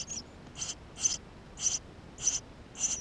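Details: Eurasian tree sparrow chicks calling from inside the nest, GoPro recording: a fast series of six high, thin, slightly harsh chirps, roughly two per second, with no other sounds.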